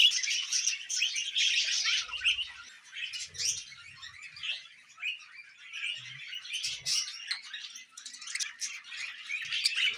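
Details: Budgerigar chatter from pet birds: rapid high chirps and squeaky warbles, loud at first, then softer and broken, with brief louder bursts.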